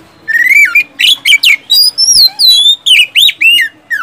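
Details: Kacer, the oriental magpie-robin, delivering siulan whistles and tembakan shots meant to coax silent birds into song. Loud, pure whistled phrases alternate with squeaky, sharply sweeping notes in quick separate bursts, about eight phrases in four seconds.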